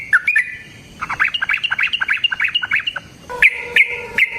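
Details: Yellow-vented bulbul song meant to prompt another bird to sing; a quick rolling series of high chirps and squeaks in pulses, ending with a few longer whistled notes and clicks.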